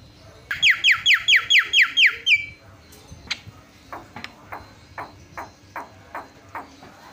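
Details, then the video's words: Javan myna singing: seven quick downward-swept whistles in a row, followed by softer, evenly spaced clicking notes repeating about every half second, with a low hum behind. "FULL MASTERAN KICAUAN JALAK PALING YAHOOD"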